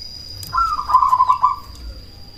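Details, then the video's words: Loud cemani zebra dove calling to provoke rivals into answering: one rapid, stuttering coo phrase that starts slightly higher, then runs as a quick pulsed trill for about a second, with a steady faint high whine behind. "Perkutut cemani gacor suara BESAR pancingan ampuh bikin lawan langsung nyaut"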